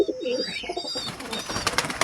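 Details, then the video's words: Fancy pigeons in a loft give low, throaty coos at the start, followed by fluttering and rustling noise with a faint higher whine. "loft pigeons"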